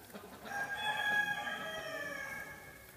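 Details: American Bronze turkeys shown at a national poultry exhibition, Roche-la-Molière: a single sustained, strained harmonic call lasting about two seconds, slowly fading, with faint background hall noise.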